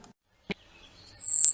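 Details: A Golden-winged Warbler in spring, a species that nests in thickets in the Chippewa Valley, gives a single very high, thin, buzzy note held for about half a second, preceded by a soft click.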